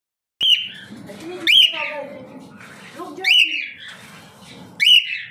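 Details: A pastel-face cockatiel gives loud, shrill, slightly rising screeches, repeated about every second and a half.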